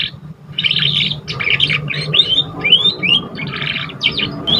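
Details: Young canary just learning to sing, used as a stimulus for other birds: a varied high sequence of buzzy trills and quick rising whistled slurs in short bursts, over a steady low hum.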